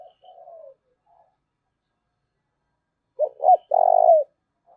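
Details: Spotted dove cooing, played to lure wild doves and make caged birds coo eagerly: two soft, low, slightly falling coos, a silent gap of about two seconds, then two short louder notes running into a long sustained coo.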